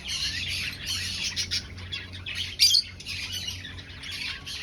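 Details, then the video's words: Colony of aviary finches in breeding season, nest hunting; high chattering bursts from a group, pausing briefly, with one louder sharp chirp in the middle and faint low hum. "Finch Sounds"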